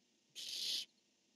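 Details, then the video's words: Barn owl, one of a calling and answering male-female pair, 10-1-15: one hoarse, breathy screech of about half a second, flat and noisy throughout, otherwise near silence with low hum. "Casper called and this time Dottie answered"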